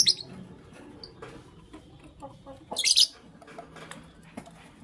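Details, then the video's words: Pet lovebirds of Creamino and Lutino Opaline colouring chirp in the morning; a high squeak opens, a faint note follows near one second, then a loud burst of harsh chirps around three seconds amid light rustling. "Lovebird Chirping Sounds"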